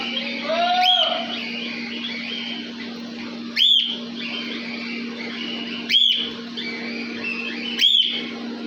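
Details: Cockatiels in an aviary, with four piercing rising-falling whistles spread two to three seconds apart. A lower warbling phrase opens the clip, and there is steady background chatter and hum.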